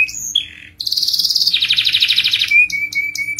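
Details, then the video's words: Canary song for prompting other canaries: short whistled notes, then a fast buzzy trill and a lower rolling phrase, ending on a thin steady whistle. "Kenari Gacor Ngerol panjang, untuk Pancingan Jenis Kenari apapun."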